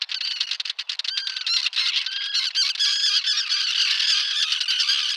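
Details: Common terns calling together at a small breeding colony with chicks on a concrete block near a mole, 1.5 km from the sea, Liepāja, Latvia, June 2024, Nikon Coolpix P1000; dense overlapping harsh, squawking, grating calls without pause.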